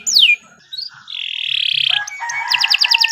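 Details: Canary song meant for tutoring birds: a falling whistle, a sustained buzzy trill, then a steady whistled tone and quick repeated chirps.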